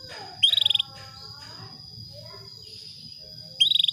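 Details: A female canary calls to a male to trigger breeding, giving two brief rapid trills about three seconds apart, each a fast run of clipped pulses, with a steady high tone and soft background chatter.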